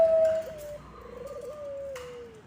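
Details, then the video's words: Zebra dove of the Bangkok type, its song used to lure other zebra doves: a faint, drawn-out mid-pitched tone that steps down slightly and glides gently lower toward the end, over a quiet indoor background. "Bunyi Perkutut Bangkok ASLI Ampuh untuk Pancingan semua perkutut"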